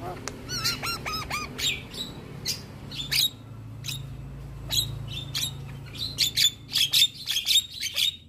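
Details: Male Javan myna singing a tutor song said to provoke other mynas. It opens with a quick trio of whistled, descending notes, then turns to sparse sharp clicks and short high chips that grow louder and denser toward the end.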